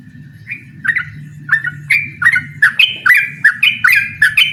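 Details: Vigorous ropel-style song of a yellow-vented bulbul calling out a rival: a string of about twelve quick, bubbly chirps that climb slightly in pitch and speed up toward the end, over a faint low background hum.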